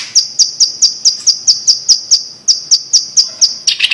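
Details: Blue-masked leafbird from Sumatra, Indonesia, repeating a sharp, high, clipped note about twice per second in a steady series, ending in a brief, rougher chattering flourish.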